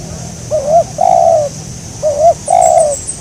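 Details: Spotted dove heard during a lure-trapping session; twice a short bouncing note followed by a sustained, slightly descending coo, with light high chirping from other birds near the end.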